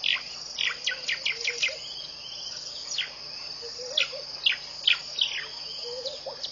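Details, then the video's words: Birds singing at dawn, 5:00 am on 4 January 2014, at a waterhole in Mashatu Game Reserve, Botswana: quick high down-slurred whistles in clusters over a steady shrill insect drone. "Bird's Singing at Pete's Pond this Morning"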